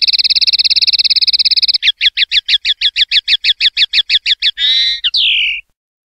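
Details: A 2021/2022 clean-song recording of a common linnet: a fast buzzy trill, then a steady run of sharp rising chips, ending in a short warble and one long, falling, nasal note. Silence follows.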